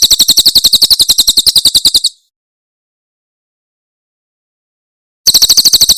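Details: Tutor recording of Javan prinia (Tembakan Cililin) song: a quick run of piercing high chirps, around four per second, stops after two seconds, then three seconds of silence before the chirping resumes.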